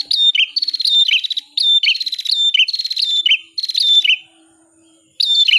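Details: Bar-winged prinia singing a rapid, repeated chirping phrase: each one a buzzy stuttered series with a whistled falling-rising note, repeated nearly without pause before a brief silence and another start; clean, quiet background.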